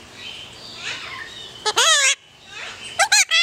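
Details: A pet yellow-collared miniature macaw in Paradise, California, filmed July 14, 2008, gives a long grating squawk with bending harmonic notes, then a burst of three clipped harsh calls after a pause, over quiet indoor background.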